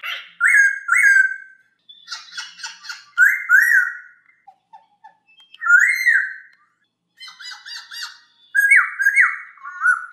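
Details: A masked laughingthrush in a clear tutor recording for training other birds alternates loud doubled whistles with rasping, chattering bursts, repeating whistle pairs about every two to three seconds.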